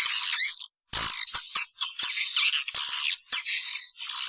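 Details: Swiftlets on a lure recording aimed at young birds and a new nesting building: piercing, scratchy twitters in choppy bursts broken by a short silent gap near the start, some notes sliding downward.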